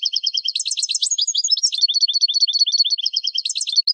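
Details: European goldfinch training song for captive birds: a continuous run of fast, high tinkling and twittering notes with buzzy trills, repeated in quick bursts for four seconds, no other sounds.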